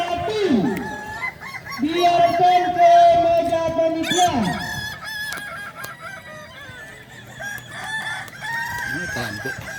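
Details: Crowing contest of Balenggek chickens at Danau Bawah, Solok Regency, held Sunday 6 October 2024. A loud crow opens with a sliding note into a long steady held tone, then crowd noise, chatter and distant crowing follow.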